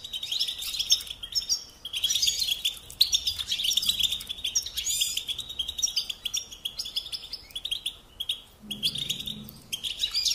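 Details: European goldfinch song: rapid twittering, chirping phrases in high bursts over a steady, dense high-pitched background chorus of similar birds, with brief pauses between bursts.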